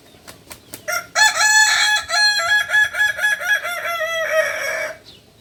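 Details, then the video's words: Kukuak balenggek rooster from Solok, West Sumatra, giving a loud, extended multi-syllable crow, a long run of stepped, rippling notes after a few soft clicks, ending in a rough drawn-out syllable. "Ayam kukuak balenggek"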